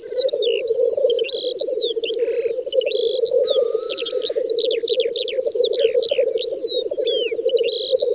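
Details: Black grouse lekking in a Russian spring field, 9–10 May 2019. Their low, throbbing bubbling carries on beneath a lively mix of other birds' whistles and chirps, with a short hiss midway.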